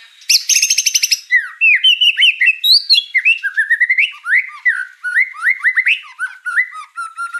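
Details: Murai song used as masteran training material for champion songbirds: a loud burst of rapid buzzy notes, then a varied run of sweet whistled phrases that slur up and down, packed with quick chips and ticks.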